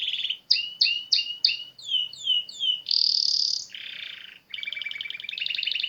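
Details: Canary song in natural surroundings: a varied series of quick tweeted phrases, rising-and-falling whistled notes repeated several times, a bright high trill, a buzzy lower section, then a rapid rolling trill.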